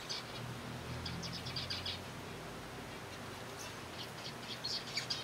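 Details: Captive zebra finch colony being fed softfood, giving short nasal high-pitched beeps in quick bursts at the start and again near the end, with a steady low hum underneath.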